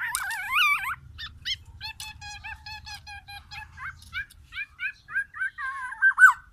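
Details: Captive black-naped oriole of Sumatra, Aceh stock, delivering shama-imitation material: a wavering whistled opening, then rapid runs of short harmonic-rich notes repeated several times a second, ending in a loud slurred whistle.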